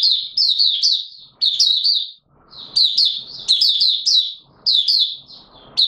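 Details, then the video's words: Caged Mata Puteh Raja white-eye opening its song while not yet in full condition, 9 May 2022: bright, high twittering phrases of quick rising and falling chirps in bursts, with short pauses and faint low rustling between. "Mata Puteh Raja V1 buka sing not full condition yet"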